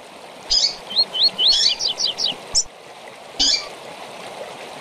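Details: Double-collared seedeater singing tui tui for the training of young birds: a chirp burst, four upswept whistles, then a quick falling series of chirps and one later high note, on a watery hiss.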